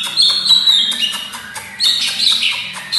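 A greater green leafbird sings a loud, fast run of high, squeaky whistles and warbled phrases in two bursts separated by a short pause.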